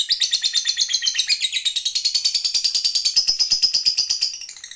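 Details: Lovebird, a fighter bird in lively singing form, delivering the long ngekek trill meant to provoke other lovebirds into singing: a dense, rapid chatter of high, buzzy notes, about ten per second, running unbroken for over four seconds before fading.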